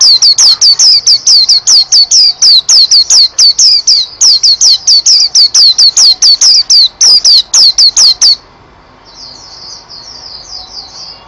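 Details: White-eye in energetic song, delivering a long run of quick, high, sharply descending whistled notes, about two per second, for eight seconds before dropping to a softer, distant-sounding twitter.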